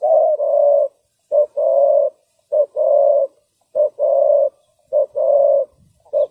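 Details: Spotted dove kept as a trapping lure, cooing loudly and cleanly: each phrase a clipped note followed by a longer rolling coo, phrases spaced a little over a second apart, no other sounds.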